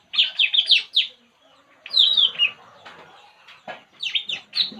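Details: Puling bird at rest: a quick run of sharp, whistled chirps, then a brief lull with faint rustling, then further squeaky chirp strings.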